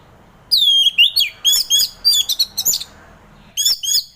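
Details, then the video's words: Orange-headed thrush, relaxed ngeplong song aimed at getting a reluctant thrush to sing in the morning: a varied run of clear whistled notes, slurred high to low, then choppy repeated chirps and a short final phrase. "Kicauan Anis Merah || Ngeplong Santai"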